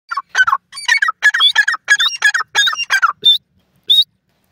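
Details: Francolin, known locally as teetar, calling: harsh, grating multi-note phrases repeated in quick bursts about every half second, with a few thinner high notes near the end and a silent background.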